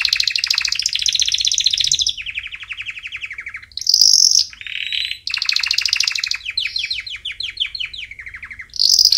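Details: Canary singing as training for chicks, loud and close: long rolling trills at varied pitches, broken by sharp high bursts and a descending series of chirps, then another piercing high note.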